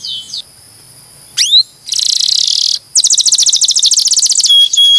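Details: Canary training song for other birds: a rising sweep, a harsh buzzy rattle, then a rapid pulsed trill and a clear steady whistle.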